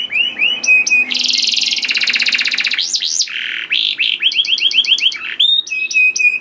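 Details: Canary song used to trigger singing in other canaries: varied high phrases of upward-hooked whistles, a long harsh buzzing trill, arching slurred notes and crisp repeated chips.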